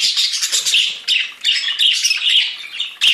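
Budgerigars chatter in a busy, scratchy warble of rapid high chirps and squawks, broken by brief pauses, with several birds overlapping.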